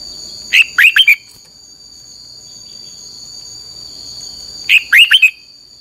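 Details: Training song of a red-whiskered bulbul: two brisk warbled phrases of about four liquid, slurred notes each, separated by roughly four seconds of quiet. A steady shrill hum persists in the background.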